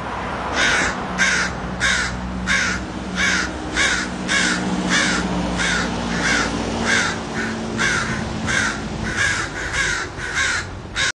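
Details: Crows cawing on a West Hollywood street, a steady series of about eighteen hoarse, clipped caws spaced roughly half a second apart, with a low droning hum beneath.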